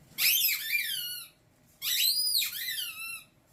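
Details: Pet umbrella cockatoo, a male kept indoors, producing a sound it was taught as the most annoying in the world: two loud whistled notes with rich overtones, each sliding downward and lasting about a second, separated by a short pause in a small room.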